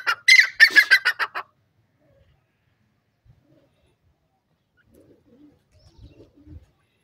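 A grey partridge gives a quick burst of about eight harsh, grating notes over just over a second, followed by near silence with a few faint knocks.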